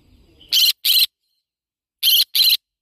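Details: Two pairs of loud, rough screeches from a yellow-sided conure parrot, the pairs about one and a half seconds apart, after a brief low murmur.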